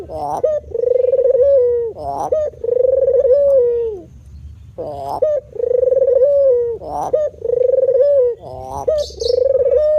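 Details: Male dove (puter) performing its cooing display. Long, steady, low purring coos are repeated several times, each opened by a sharp rising note, with a brief gap midway.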